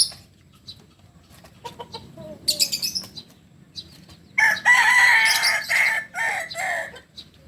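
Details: Native Solok Kukuak Balenggek cockerel: soft clucks and wing rustles lead into a bright, strained crow lasting over two seconds, chopped into several rapid syllables that fade out.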